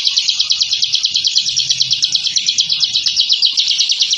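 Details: Bar-winged prinia, known locally as ciblek, a kept songbird, in its rapid continuous ngebren song used to train captive birds: a dense, fast buzzy trill of repeated notes, about three per second, unbroken throughout.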